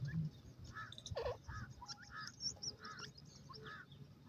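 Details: Grey francolin, known locally as teetar, calling in a series of short, harsh, repeated notes with a rasping, ringing tone, spaced about every half second over low rumbling background noise.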